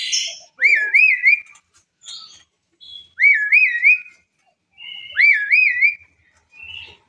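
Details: Asian pied starling singing three loud, wavering whistled phrases, each with a rising start and rolling loops, about two seconds apart, with softer chatter between; its song prompts other birds to join in.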